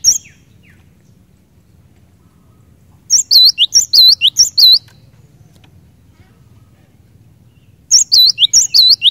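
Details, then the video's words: Cinereous tit in energetic gacor song, said to quickly set other cinereous tits singing: two bursts of rapid, high, whistled notes with swooping slurred phrases, separated by about three seconds of quiet with faint low background hum. "Kicauan Glatik Batu Gacor Ini Cepat Bikin Glatik Batu Lain Bunyi Gacor"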